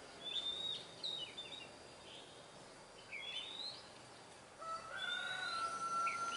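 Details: Oriental magpie-robin in the wild giving scattered whistled notes and short slurred phrases, then a long, steady, lower whistle near the end, against a hissing background.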